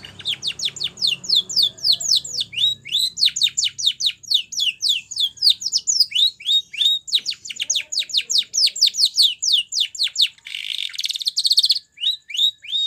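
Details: Spanish Timbrado canary song for training canaries: a long, loud, rhythmic series of high falling notes delivered several per second, broken briefly by a harsh buzzy passage before the sweeps resume.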